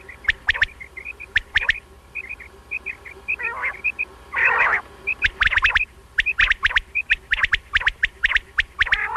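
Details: A quail, recorded for night use, repeats short, high chirping notes in quick groups, mixed with sharp clicks and a few bursts of rough noise, with human laughter nearby.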